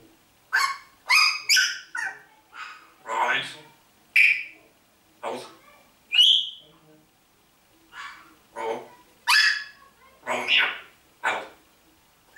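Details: Talking pet parrot from Hammelburg, Germany, producing a series of short speech-like syllables and phrases with a few sharp whistled notes, in bursts roughly every second with brief pauses between.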